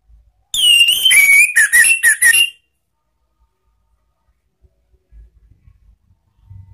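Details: Orange-headed thrush ngeplong song for luring and training cage birds. A single loud, two-second phrase opens with a clear whistle and breaks into quick varied notes, followed by quiet with faint low knocks.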